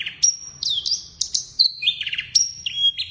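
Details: A blorok-type Javan bush lark in full active song packed with imitations: clear, high whistled notes, some held and level, others sliding down, separated by sharp chirps and quick trilled stutters.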